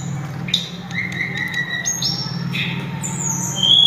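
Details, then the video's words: Tledekan gunung, or sulingan, giving a loud, sweet song of separate pure whistles, some held level, others jumping higher, with a low steady hum underneath. "burung sulingan atau tledekan suara merdu langsung ngelangit berkicau"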